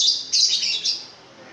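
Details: Pentet raja (long-tailed shrike), long-tailed and very loud, in gacor form, giving three quick high, hissing, scratchy notes in under a second, then falling silent.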